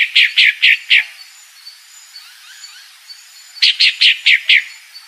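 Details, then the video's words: A calling female pale-breasted thrush: two series of four to five fast, rasping notes, with faint high chirps of other birds in the gap. "Fêmea Sabiá Branca Barranqueira Chamando"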